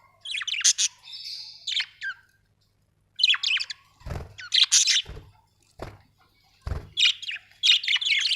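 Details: Budgerigars chattering in quick bursts of bright, high chirps and warbles, with short pauses between the clusters.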